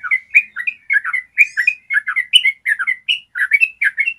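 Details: Yellow-vented bulbul with a clear long trill, used to make caged birds sing more diligently. Lively run of quick liquid, slurred notes, several per second, with a brief thin squeaky note partway through.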